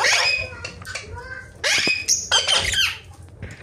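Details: Ringneck parrot kept as a talking pet gives raspy, broken squawks and chattering notes, loud at the start and again in a dense burst in the middle.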